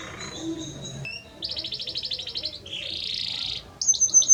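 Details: Belgian canary male singing to the female: soft whistled notes, then buzzy rolling trills and a short burst of bright chirps, somewhat quieter than the rest of the recording.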